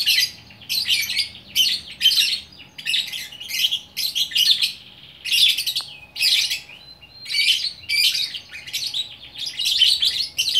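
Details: Lone lovebird, fighter type, in Bukittinggi, West Sumatra, giving extended orkestra song: repeated bursts of buzzy, scratchy high chatter, each about half a second, with regular short gaps.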